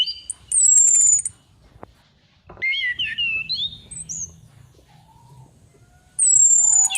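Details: Female orange-headed thrush calling as a lure. A loud, high, descending whistle with a trill opens. A cluster of warbled, wavering notes follows after a pause. Another long, falling, high whistle closes.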